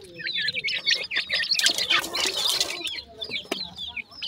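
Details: Captive grey francolin chicks peeping while being fed: rapid, overlapping shrill chirps rising in pitch, with a broad rustling and flapping noise in the middle.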